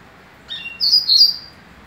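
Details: Double-collared seedeater song of the Barra Mansa type: a brief, high phrase of a couple of sharp notes, then a bright, slightly buzzy warble lasting about a second, over quiet background.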